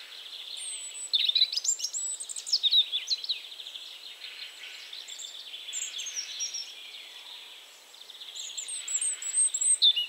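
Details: European robin singing in Poland: varied high, thin warbles and twittering trills with sharp upward and downward slides, delivered in bursts with brief quieter gaps, over constant faint background hiss.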